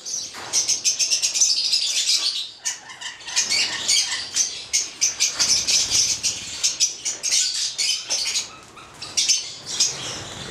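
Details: A pair of Stella's lorikeets (Charmosyna papou goliathina), a red male and a black female, give a fast, continuous run of shrill, scratchy screeches and chips, several each second, possibly mixed with fluttering wingbeats.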